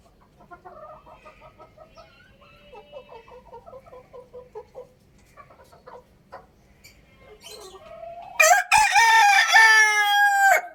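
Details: Rooster crowing: about eight seconds of soft, quick clucking notes, then one loud, harsh, drawn-out crow with a held, slightly falling tone lasting roughly two seconds.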